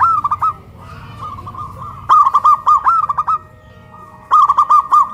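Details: Caged local zebra doves in Kuningan, West Java, cooing loudly after being hoisted up a pole, a big-voiced bird against a crystal-voiced one; phrases of a rolling note followed by three or four clipped coos, repeated three times, over a faint hum.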